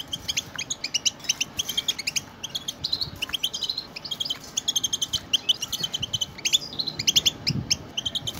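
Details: A flock of European goldfinches chatters continuously, meant to stimulate pet goldfinches into song. Rapid, bright, high notes repeat in quick bursts with brief pauses, some phrases ending in a dry buzz.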